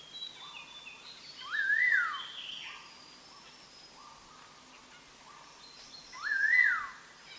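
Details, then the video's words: Black-hooded laughingthrush, found in montane evergreen forest of Đắk Lắk and Lâm Đồng, singing on a trapping track: rising-then-falling whistled phrases about five seconds apart, with soft repeated lower notes and hiss between. "Chim Khướu đầu đen má xám hót hay"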